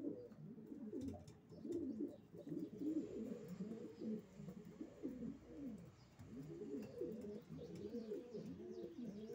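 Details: A loft of racing pigeons cooing in a thick, overlapping chorus of low rolling coos, rising and falling in waves, with light clicks.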